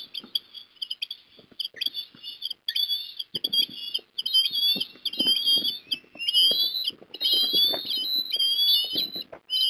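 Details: Osprey at Port Lincoln, South Australia, afternoon of 22 December 2021, fish delivered to a juvenile: insistent high whistled chirps, starting in short clipped notes and building into long continuous piping, with thumps and shuffling sounds underneath.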